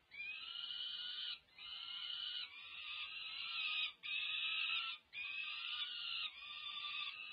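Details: Nest-camera recording of peregrine falcon chicks past five weeks of age begging during feeding at UC Berkeley, California, 18 May 2023; steady buzzy screeching in segments roughly one second long with brief dips.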